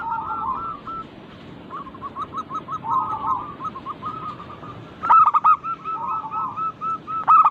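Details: Several local zebra doves sing together as a singing lure: soft, bubbling rows of quick coos for five seconds, then a loud, ringing burst of stuttered coos and a final strong note.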